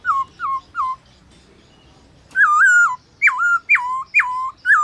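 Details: A trained black-throated laughingthrush at midday gives three short falling whistles, a brief pause, then a burst of six loud whistled phrases, each an abrupt rise that drops into a level tone.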